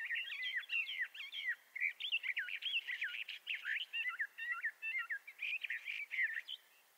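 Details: A Bendire's thrasher of western North America pours out a sustained, melodious jumble of rapid chirps, trills and swooping notes, ending in a short silence.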